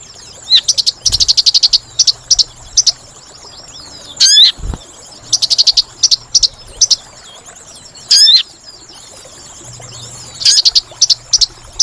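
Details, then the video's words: Sunbird (sogon) trapping lure sound: quick trains of thin, high ticking chirps, broken by two sharp up-and-down swept whistles, repeating in bursts over a quiet hiss. "Suara Pikat Burung Sogon Paling Ampuh"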